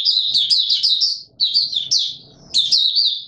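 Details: In warm humid weather on 20 March 2022, a white-eye delivers energetic high warbling phrases of rapid slurred notes, about one burst per second, with soft low clatter in the background.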